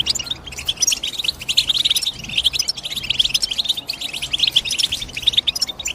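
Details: Rapid high twitter of European goldfinch calls, short sharp chirps running almost without pause and rising and falling in intensity throughout.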